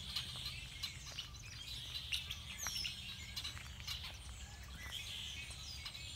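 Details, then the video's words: Several songbirds sing at once at Beddis Beach, Salt Spring, in February: high, thin chirps and short twittering notes, with a steady low rumble of background noise underneath. "Sounds of Song Birds"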